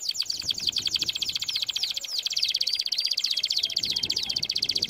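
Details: Canary training song: a continuous, dense, high-pitched warbling trill with rapid, evenly spaced notes and intertwined fast slurs throughout.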